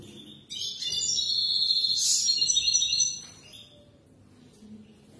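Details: Goldfinch song for teaching young birds: one continuous, dense, high twittering phrase of about two and a half seconds, packed with tinkling notes and buzzy trills, rising to a bright peak near the middle before fading.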